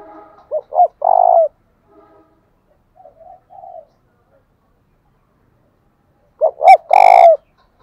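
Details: Spotted dove decoy bird cooing to provoke wild doves into fighting: two sharp cooing phrases, each of two short notes and a long rough trailing coo, separated by softer low murmured coos and silence.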